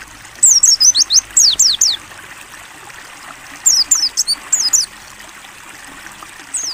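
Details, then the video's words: Pleci white-eye, 'ngalas buka paruh' song for training: two energetic bursts of shrill, high, fast-falling whistled notes, separated by quiet stretches, with a single note at the end and steady water trickling throughout. "AUDIO MASTERAN PLECI NGALAS BUKA PARUH JERNIH"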